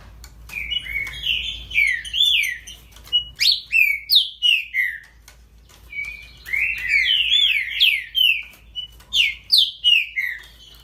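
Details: Song of a great-billed seed finch, two bursts of quick whistled notes, each swooping downward, tumbling together in rapid chattering phrases, separated by a brief pause, against a quiet low hum.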